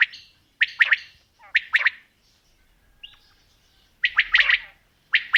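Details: Calling quail, female and male sounds mixed: clipped three-note bursts about once a second, a short gap with one soft rising note, then a denser, richer burst and another triple.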